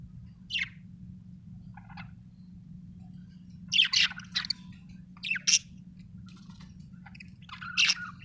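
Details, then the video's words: Budgerigar uttering sparse, sharp chirps and squeaky notes, some in quick pairs, spaced by several seconds of near silence with a constant low hum. "budgie chirping sound"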